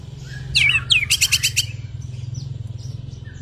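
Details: Singing after the moult, a white-rumped shama gives a short burst of sweeping whistles and a rapid, very high rattling trill of about a dozen notes. Then it fades, leaving steady low humming.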